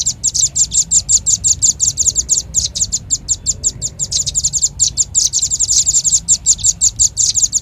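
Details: Velvet-fronted nuthatch, as a lure recording: unbroken, fast, insistent series of piercing high chips, several per second, steady in loudness throughout with a low hum behind.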